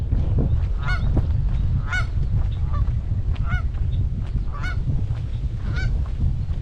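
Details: A large group of Canada geese guarding goslings in formation at a Michigan pond, May 2021: loud, nasal honks with rich overtones, roughly one per second, over heavy low wind noise.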